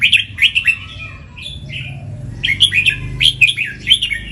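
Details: Red-whiskered bulbul, a prize-winning contest bird that delivers the doubled 'เบิ้ล' song both at home and on the rail. Bright, warbling whistled phrases arrive in clusters, separated by a quieter stretch of short, slurred notes.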